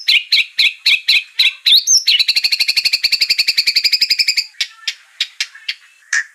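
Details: White-rumped shama song used as a lure to provoke singing: regular harsh double notes, a quick whistle, then a fast steady trill over two seconds, ending in scattered harsh calls.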